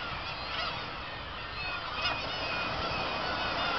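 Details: At Kabushima on 2 August 2012, after fireworks, a thick wash of black-tailed gull cries: countless mews and yelps overlap without pause, a few long plaintive notes rising above the mass.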